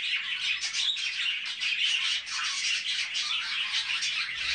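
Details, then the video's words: Budgies with chicks fill the air with busy, high-pitched twittering, rapid squeaks and short whistled notes running together steadily throughout. "طيور الحب بادجي مع الأفراخ"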